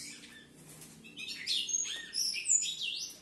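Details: Pair of captive-bred Ultramarine grosbeaks, harlequin mutation, singing the standard 'sintonia padrão' song style: fast warbled phrases of high whistled notes, with sharp upward and downward slurs, delivered in quick succession.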